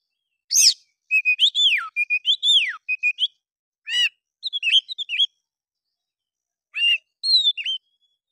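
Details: Oriental magpie-robin in emotional fighter voice, mimicking bulbul calls to provoke rival birds into tail-spreading; loud whistled slurs and chips early, then sparse short notes and a late whistled phrase, silence between.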